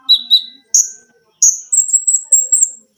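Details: Konin, or olive-backed sunbird, a gacor cage bird in a training recording with lengkingan and besetan: two lower chips, two shrill high notes, then an extremely high wavering twittered run.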